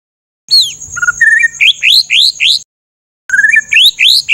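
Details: Harsh 'tembakan kasar' song of a white-rumped shama, used to train songbirds: low whistled notes give way to a fast series of rising, sharp upslurs, then a pause and the same phrase starting again.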